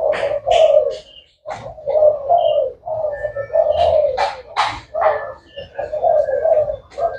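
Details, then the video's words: Thai black variety of spotted dove, described as cooing from morning to night, producing rolling, soft coos repeated in close succession, mixed with sharp clicks and faint chirping. "Cu gáy thái đen chơi tối ngày"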